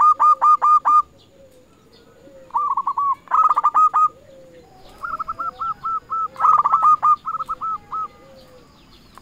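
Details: Zebra dove of local stock calling rivals: clear staccato coo series, each phrase a string of quick even notes, repeated after short gaps, with faint softer notes between.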